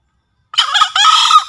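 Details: Javan green junglefowl crowing, a master lure sound for training newly caught or quiet birds and for trapping in forest: a harsh, buzzy, rich burst in two rapid parts, loud and rasping after a short silence.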